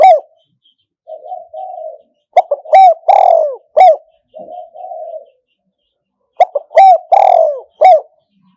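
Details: Decoy spotted dove used with a traditional enclosure trap to catch wild doves. A soft, wavering coo leads into loud, clipped, accented coo notes. The phrase is repeated about six seconds later, with silence between phrases.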